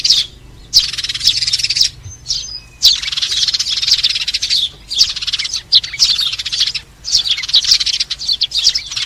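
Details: Sparrow flock call used as a trapping lure: loud bursts of buzzy, rapid chattering lasting one to two seconds, separated by short quiet gaps, with occasional thin whistles.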